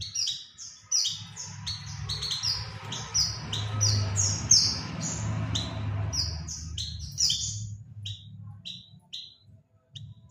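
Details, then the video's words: Lure call of the Oriental white-eye for attracting birds: a dense, rapid string of high, downslurred chirps, tapering into sparser paired notes toward the end, with a low rumbling hum throughout. "suara pancingan burung pleci"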